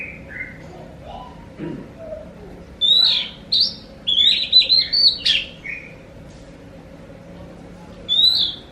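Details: Oriental magpie-robin (kacer) song used to provoke other magpie-robins into answering: scattered short whistles, then a burst of loud, varied slurred notes in the middle, a pause, and one final whistled phrase.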